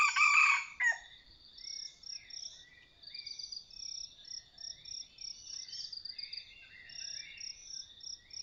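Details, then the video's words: Red junglefowl of the Sai Wiang strain, heard while decoy hunting: a loud, coarse crow opens the recording and breaks off within a second. Then come pulsing insect buzzing and repeated short whistled notes from other birds. "ต่อไก่เถื่อน.ไก่ป่าสายเวียน. ( ໄກ່ເຖື່ອນສາຍວຽນ )"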